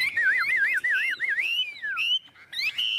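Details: Chinese hwamei (Garrulax canorus), a tame, handsome captive bird, singing loud, clear whistles that warble rapidly up and down, then slide into long falling and rising slurred phrases.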